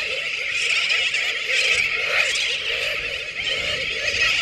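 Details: Many Sooty terns calling together at Johnston Atoll, 19 June 2001, with a continuous din of overlapping shrill, raspy cries and a few louder pulses rising out of the steady chorus.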